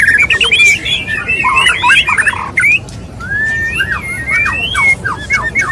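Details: A male white-rumped shama courting a female: dense, fast chattering of clipped whistled notes, then a pause and a slower sequence of long down-slurred whistles repeated about twice per second.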